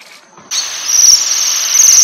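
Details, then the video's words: Waxwings feeding on rowan berries give a very high-pitched metallic trilling. After half a second of near quiet it starts abruptly as a dense, continuous shimmering trill. "The Waxwing and its Call"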